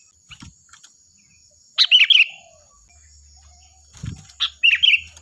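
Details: Loud, ringing sooty-headed bulbul song used to train other birds: two short bursts of bubbly whistled notes about three seconds apart, with a thin constant high-pitched hum behind.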